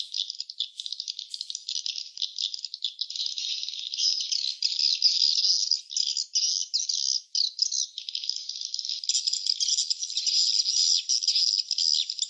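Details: Swiftlets at their nest giving a long, unbroken stream of high buzzy rattles and twitters, fast and irregular, swelling slightly louder in the second half.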